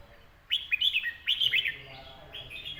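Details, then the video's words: Red-whiskered bulbul singing a cool-breeze style phrase: quick rising and falling whistled notes in two lively bursts, then softer fading notes, over low background murmur. "ลมเย็น ขับขานสำนวน#นกกรงหัวจุก #เสียงนกกรงหัวจุก"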